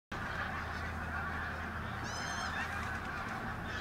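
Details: Pink-footed geese at Martin Mere WWT Reserve, Lancashire, on a bright October 8th 2012, many birds moving in and out; a steady wash of overlapping honking chatter, with a clearer harmonic call near the middle.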